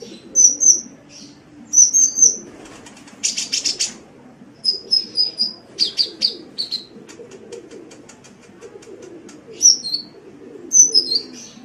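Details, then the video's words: Sunbird (kolibri) song recorded to tutor caged songbirds: clusters of high whistled chirps, a harsh buzzy rattle, then more twittering phrases with pauses between them. "Masteran Suara Kolibri"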